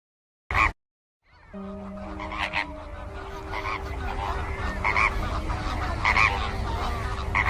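Flamingo honks, nasal and goose-like, rise now and then from a constant flock murmur, with a steady low humming tone underneath.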